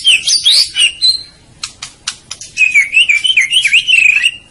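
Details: White-rumped shama (murai batu) used as a masteran training recording: high, twittering warbled phrases with quick rising and falling notes, broken midway by a few sharp clicking bursts before the warbling resumes.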